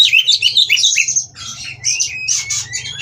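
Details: Kacer, the Oriental magpie-robin, at a breeding aviary in Kroya, mating and singing to rouse rival birds: a quick series of chirpy whistled notes, then broader rich warbling and clear sustained high tones over a low hum.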